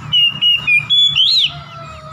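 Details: Oriental magpie-robin, a song used to provoke a rival: four short, level, whistled notes in quick succession, then a longer rising-and-falling slurred whistle, followed by quiet.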